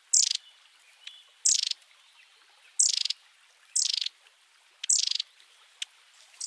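Long-tailed tit giving short, high, sputtering trills, each dropping slightly in pitch, repeated roughly every second and a half with faint hiss between.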